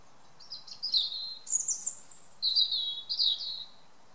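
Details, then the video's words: European robin's evening song in a garden: a high, liquid phrase of thin whistles and quick trills shifting in pitch, with faint background hiss. "A Robin's evening song"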